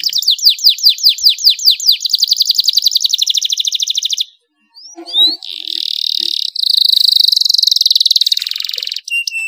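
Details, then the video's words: Canary song used as a training recording to stimulate other canaries to sing: fast, high rolling trills of repeated downslurred notes, then a brief pause, then long buzzy, even trills held for several seconds. "cuitan kenari untuk merangsang agar gacor dor"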